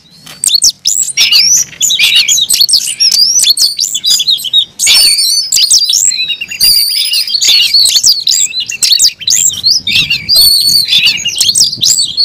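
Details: Kept Oriental magpie-robin (kacer) in long, unbroken fighting song: continuous high chattering and slurred whistles, nearly non-stop, with varied sweeping phrases throughout.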